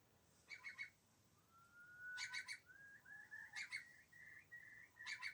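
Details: Eurasian curlew song played back, a hopeful, bubbling sound that ascends: long, clear whistles that slide upward and rise in steps. Short, quick three-note bursts recur throughout, over soft background hiss.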